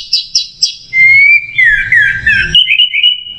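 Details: Clear macet jernih masteran song of an Orange-headed thrush: three quick high chirps, then a sustained whistled phrase gliding gently downward and lifting to a steady high tone, with a soft low hum in the background.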